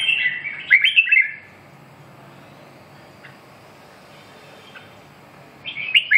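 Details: Red-whiskered bulbul giving short, loud, warbled whistled phrases at the start and again at the end, with a long quiet stretch of low hum between them.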